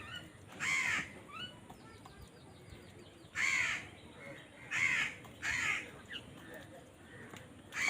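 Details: Loud harsh caws from crows fighting for food, arriving in separated bursts of two or three rasping notes with quieter gaps between, against constant background hiss.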